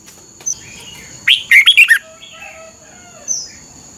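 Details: Caged Red-whiskered Bulbul singing a training song for young birds to copy. One rich, rolling phrase of several slurred whistles lasts under a second, with faint soft chirps before and after it.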